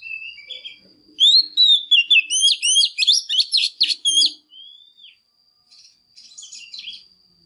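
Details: Female Oriental magpie-robin singing to excite males: after soft notes, a loud burst of quick whistled slurs and chattering for about three seconds, then a long falling whistle and faint notes, over a steady high tone.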